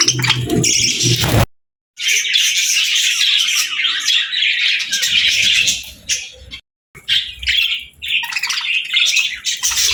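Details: Happy pet budgerigars chattering: dense, fast warbled chirps and squawks, mostly high-pitched, in two bursts broken by brief silences, with soft low rumbles underneath.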